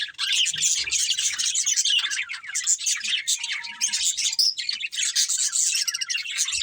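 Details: Budgerigars of a breeding pair produce a constant, rapid high warble of chirps and squeaky notes, with a short steady whistled tone partway through.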